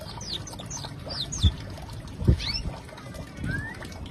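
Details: Young canary learning to sing: thin, high whistled notes that slide downward, given in a short series, then a few rising chirps, over a low steady rumble with two dull knocks.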